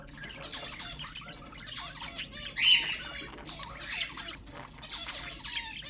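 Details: Budgerigar chatter used to stimulate budgies: a dense, continuous warble of overlapping squeaks, clicks and short whistles, with one sharp squawk near the middle.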